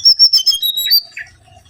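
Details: Lure recording of a mangrove whistler: a quick series of bright, high whistled notes with sliding pitch, then a short falling note as the phrase fades.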